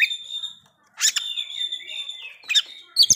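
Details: Oriental magpie-robin song played to stir breeding condition and aggression in other magpie-robins: a long, level, ringing whistle held for over a second, broken by short harsh chips and a final sharp note.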